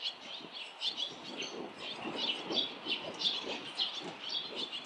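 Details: Barn swallows near a nest where one chick remains after the others fledged, with parents and neighbours flying close; quick, high, slightly buzzy chirps repeat steadily, plus soft low background noise.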